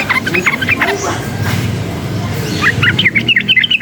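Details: Sooty-headed bulbul excited by noise: a few sharp chirps over low rumbling background, then a quick lively burst of looping, warbled notes rising and falling near the end.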